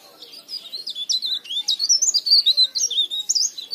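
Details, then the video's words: Leaf warbler singing, used as a lure to make other leaf warblers sing: rapid, twittering high warbled phrases with quick sweeping notes, continuous chattering over about four seconds. "burung cikrak daun gacor istimewa"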